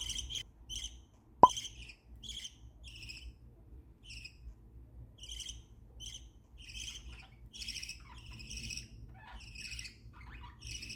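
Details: Pet budgerigars kept for breeding, chirping happily: faint, thin, high chirps in quick irregular bursts, one sharp click early on, with a low hum in the background.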